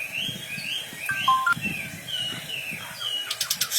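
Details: Wambi bird in full song, quieter here: slurred high whistles and short warbled notes drift over low rustling, ending in a quick string of sharp clicks.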